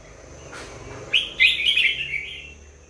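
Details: Red-whiskered bulbul giving one short warbled phrase: a sharp opening note, then a louder burst of rapid, bubbly, slurred whistles that fade away over about a second against a faint background hiss.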